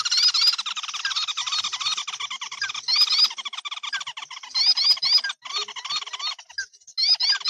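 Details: Sintar api, a red-eyed crake with a flame-red head to breast, from an edited recording used to lure the bird: fast, squeaky, tightly packed notes with rising whistled inflections, continuous with short gaps.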